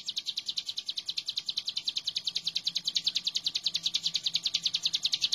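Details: Vigorous hill prinia song meant as a training master: a long unbroken stream of high, sharp chips, quick and very even, growing slightly louder toward the end, with a faint low hum beneath.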